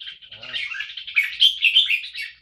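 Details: Red-whiskered bulbul, a caged competition bird, giving a quick run of bright, warbled, liquid phrases, rising to a louder burst of notes near the end; a faint low voice briefly underneath. Owner praises the singing as first-place quality.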